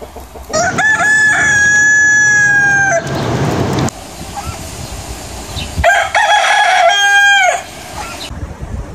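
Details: Morning crowing of a rooster, heard twice: each cock-a-doodle-doo lasts over two seconds, a rich nasal tone sustained then dropping at the end, with a lull of faint background noise between calls.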